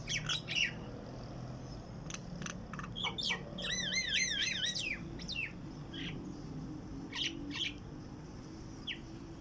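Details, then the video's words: Morning birdsong outside a window: scattered sharp chirps, then a rapid warbling trill of looping notes, then more spaced chirps, over a steady low background rumble. "Beautiful bird sing outside window"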